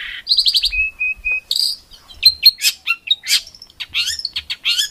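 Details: Tutor song for competition songbirds, rough 'tembakan' style: a short rapid pulsed series, three flat level whistles, then a jumble of sharp high chirps and scratchy notes.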